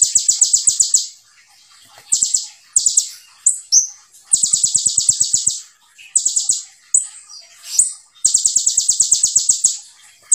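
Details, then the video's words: Sunbird singing a fast, dense song in a style prized for training other birds: high rapid trills repeated in bursts of about a second, separated by brief gaps and short sharp notes. "KONIN GACOR FULL TEBAKAN RAPAT SEJALUR // COCOK BUAT MASTERAN ATAU PANCINGAN"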